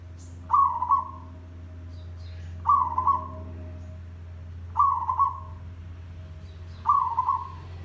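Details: Zebra dove calling as a lure for trapping birds. Four buzzy, trilled coos come about every two seconds. Each starts sharply and fades out. Thin high chirps from other birds and a constant low drone sit behind them.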